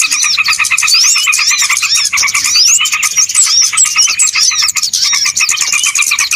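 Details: Noisy small-bird chorus played to lure birds into traps: constant rapid chattering pulses with many high curling whistles and quick rising notes overlapping throughout.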